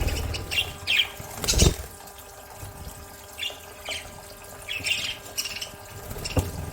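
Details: Pet budgerigars bathing give short, scratchy chirps and squawks over splashing water.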